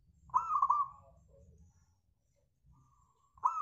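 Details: Local zebra dove song used as a lure to prompt other birds into singing: one clear cooing phrase with a rising start and rapid rolled notes, then a quiet gap before the next phrase begins.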